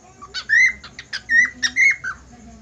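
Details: Budgerigar whistling: bright, clear notes that slide upward and level off, broken by short sharp clicks, three main whistles in quick succession with brief pauses between.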